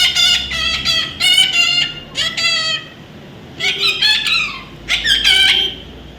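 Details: Young parrot giving repeated raspy, harmonic-rich squawks in short clustered series separated by brief quiet gaps, fairly loud and close.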